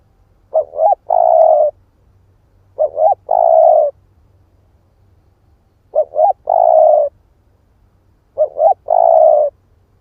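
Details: Split-breast spotted dove cooing to provoke other doves. Four evenly spaced phrases, each a pair of short rising hoots and then a longer, rich, level coo, with near silence between them.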